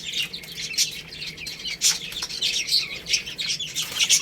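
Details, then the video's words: Chicks eating rice keep up busy high-pitched peeps, short and repeated several times a second, over pecking clicks and scratchy rustle. "Beautiful Chicks Chirping Sounds | Cute Baby Hen Eating Rice"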